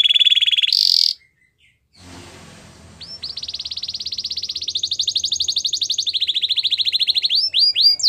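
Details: Canary song for training canaries to sing: a high trill, a short silence with faint noise, then long rolling trills stepping between pitches, ending in quick upswept notes.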